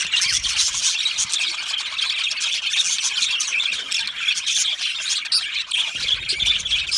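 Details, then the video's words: Dense chorus of budgies in an aviary: continuous loud, hissing high chatter and squawks blending into an unbroken wall of chirping. "Australian Budgie parrot chirping sounds"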